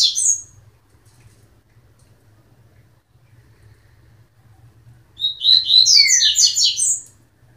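A Double-collared Seedeater gives a short high note, then after a pause a quick two-second burst of bright, varied twittering notes over a faint low indoor hum.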